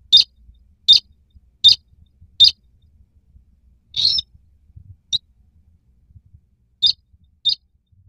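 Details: White-browed crake (Poliolimnas cinereus) calling: sharp, high piping notes about once a second, then a brief buzzy note and a few more spaced calls; otherwise quiet.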